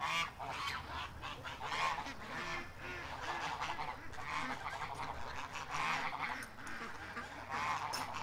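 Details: Domestic geese on a farm honking at their keeper: a run of harsh, nasal honks repeated in irregular bursts, several birds calling over one another, with a steady low hum beneath.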